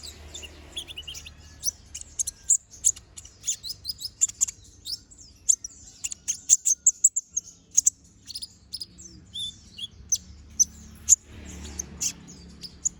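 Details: Brown-throated sunbird in energetic full song, used as a master recording for training other birds: rapid sharp high-pitched chips and twitters in dense bursts, with brief thin whistled notes and a faint low hum beneath.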